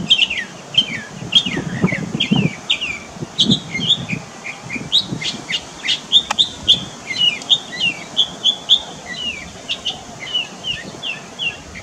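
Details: Mockingbird singing in Varadero, Cuba, in September 2023: a continuous varied string of high, whistled and slurred phrases, many repeated several times before changing, over low rumbling background noise.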